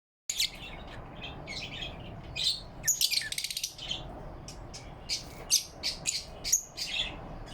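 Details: Lovebirds chirping happily in the morning light on November 4, 2023: sharp, high, scratchy chirps with a louder cluster near the middle, then single chirps spaced apart.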